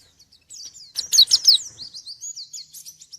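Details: Brief white-eye song directed at a rival: a loud cluster of sharp high whistles followed by a chain of softer wavering twitters.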